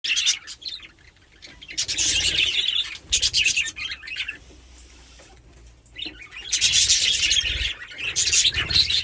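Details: Two playful pet budgerigars chattering in bursts of dense, scratchy high chirps, with loud busy stretches around a quieter gap of low background noise.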